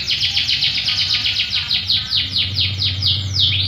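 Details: Canary singing as a lure to make other canaries respond: a fast, steady run of about four descending sweep notes per second, ending with a deeper swooping note, over a low background hum.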